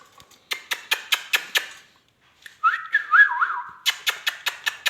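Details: Rose-ringed parakeet, a talking pet bird, giving a run of sharp clicking taps, then a short sequence of stepped, wavering whistles, followed by more rapid clicks.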